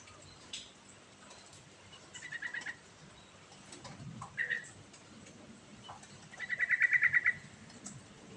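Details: Sooty-headed bulbul singing a lively rolling song, meant as a lure for a bulbul that has gone quiet: a short trill, a single slurred note, then a longer fast pulsed run, with faint low rumble behind.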